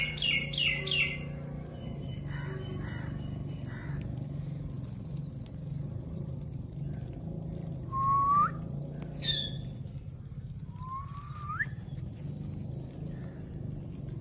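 Rose-ringed parakeet giving quick harsh chirps, then a few rising upslurred squawks over a low steady hum.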